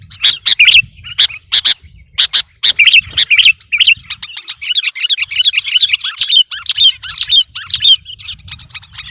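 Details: Sooty-headed bulbul in full competition singing, said to be pressuring its opponent: loud sharp chirps at first, then a dense, rapid run of varied twittering and warbled notes that continues without pause, over a faint low hum.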